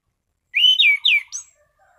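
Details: An orange-sided thrush gives a calm, clear 'ngeplong' song phrase: a rising whistle, then two loud notes that sweep downward, closing with a short high whistle.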